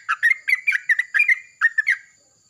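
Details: Yellow-vented bulbul answering another at morning with loud vocalisations: short bubbly gurgling phrases of two or three notes, delivered in quick bursts, with a faint steady high tone behind.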